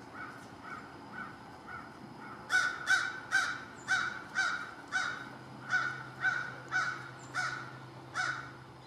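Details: Long run of about a dozen raspy caws from American crow at lunch time, delivered steadily about every half second after a few softer ones, with a faint low hum in the background.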